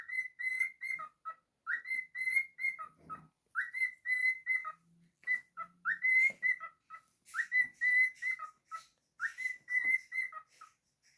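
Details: Pet cockatiel singing happily indoors: a repeated whistled phrase of short rising notes near one pitch, ending in a lower drop, looping about every two seconds with brief gaps between phrases.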